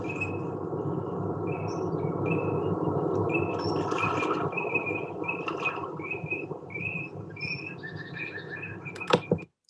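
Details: Male Eurasian teal in winter in Sussex give their distinctive short, high, whistled 'krit' calls, repeated quickly and overlapping from several birds, over a steady low rumble; a green woodpecker calls in the background.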